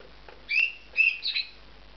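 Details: Two bonded male budgerigars taking a nest in an aviary compound; three short bright chirps, the last a buzzier double note, over a quiet background.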